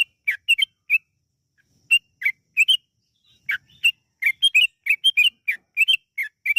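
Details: Yellow-vented bulbul singing energetically with long rapid runs, played as a lure to make other bulbuls sing: short bright chirped notes in loose bursts of two to four, some sliding down, with brief pauses between groups.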